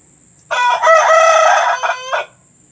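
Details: Domestic chicken recorded to play to hens about to lay eggs: one loud, long, crow-like call of about 1.7 seconds, harsh and harmonic, holding its pitch and breaking into a short final note, against a faint steady hiss.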